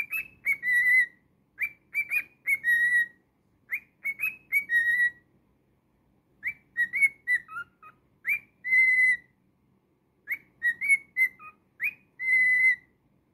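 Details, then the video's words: Cockatiel kept as a pet whistles its song in repeated phrases. Brief upslurred notes and clipped chirps lead into a sustained level whistle, with occasional lower dipping notes. Phrases return roughly every two seconds, with a pause midway. "Naughty Cockatiel singing"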